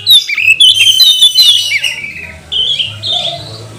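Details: Magpie-robin song used to provoke rival birds to sing, opening with a dense burst of scratchy, squeaky notes, then a gap, then short whistled phrases.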